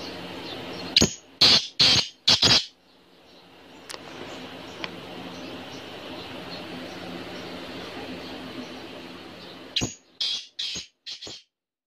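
Black francolin giving two bursts of about five harsh, grating notes, spaced several seconds apart, over a low steady background hum.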